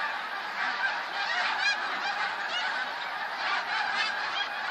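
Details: Snow geese in a huge flock, 28 February 2013: a steady wall of overlapping high honks, with a few louder individual yelps standing out briefly above the din.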